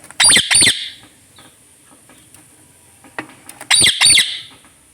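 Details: Pet parrot indoors, said to be a talking bird; two pairs of harsh broadband squawks about three seconds apart, with faint noise and possible wing flutter between.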